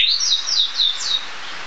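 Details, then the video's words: Short burst of Narcissus flycatcher song: four or five high, clear whistled slurs in quick succession, then quiet. "黃眉黃鶲/Narcissus Flycatcher(Ficedula narcissina)singing"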